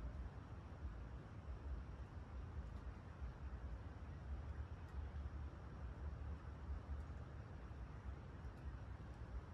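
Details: Steady low rumbling noise, like an engine or wind, with no animal calls.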